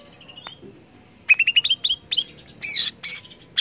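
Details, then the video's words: Greater green leafbird (cucak ijo) singing, used to stimulate other leafbirds to sing: a thin rising whistle, then a rapid run of bright chirped notes and harsher buzzy bursts near the end. "CUCAK IJO INI UNTUK MERANGSANG BUNYI IJO ANDA"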